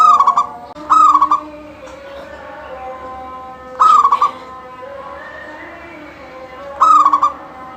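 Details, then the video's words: Local zebra dove singing steadily, its voice used to get other doves singing: three phrases about three seconds apart, each a quick stuttering run of clipped notes ending in a bright, level cooing tone, over faint steady background tones. "Suara kutut lokal gacor full manggung"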